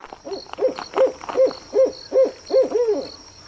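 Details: Owl calling at night: a rapid run of about eight short, mid-pitched hoots, roughly two and a half per second, fairly even in loudness, the last notes slurring into a doubled hoot, over a faint steady high whine.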